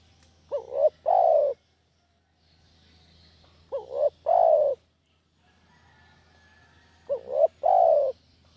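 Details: Spotted dove master lure call for catching village doves: three phrases roughly every three seconds, each a quick rising two-part note then a sustained falling coo, with a low steady hum behind.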